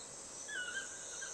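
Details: At dusk, a chestnut-mandibled toucan gives a single yelping note that slurs downward, over a steady high insect hiss.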